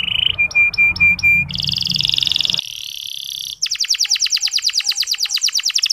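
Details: Local canary song played to encourage male canaries to sing: abruptly changing segments of clipped whistled pips, dense buzzy trills and a rapid stuttering series of high notes.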